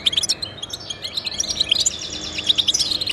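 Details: European goldfinch singing in a recording meant to motivate pet goldfinches: quick, liquid twittering notes tumble over one another, high and sparkling, with a brief buzzy trill near the end.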